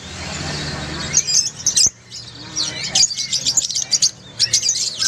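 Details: Group of lovebirds sounding together to lure a quiet lovebird into singing: a breathy hiss at the start, then sharp, high twittering notes in rapid bunches.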